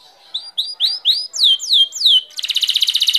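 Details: Canary song: a few soft rising chirps build into loud, drawn-out downward-sweeping whistles, then switch abruptly to a fast, even rattling trill of high notes; clean recording with nothing else audible.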